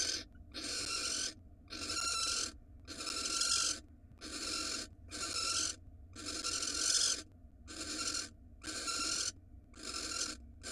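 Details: In Israel a female barn owl, brought a rat by her mate, gives long rasping hiss-screeches nearly a second each, about one per second in a continuous run, recorded by a nest box camera.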